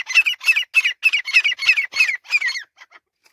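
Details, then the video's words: Male grey francolin giving a rapid series of harsh, repeated calling notes, about eight in quick succession at an even pace, then fading. "Francolin Sound | Male Teetar ki awaz"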